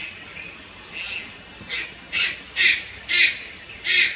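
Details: Young Malayan night heron at Lugu, 30 July 2022: a faint rasp, then a run of five loud, scratchy, hoarse bursts roughly every half second, growing stronger toward the end over quiet background hiss.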